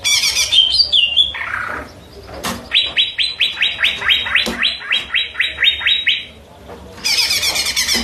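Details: Cucak ijo (greater green leafbird) singing: a few high whistled slurs, then a quick run of about thirteen sharp, downward-sweeping chip notes, ending in a burst of dense, buzzy twittering.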